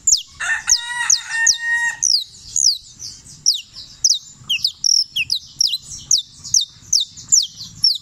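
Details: Canario criollo champion singer from Turbo, Antioquia: quick high descending whistled strokes repeated in a steady chain. Early on a harmonic, crow-like sound of another bird briefly overlaps.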